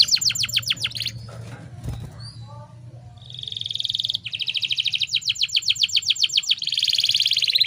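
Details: Breeding female canary used to prompt males to sing: short rapid trill, a stretch of low hum with faint noises, then long rolling trills of fast repeated notes building to the end.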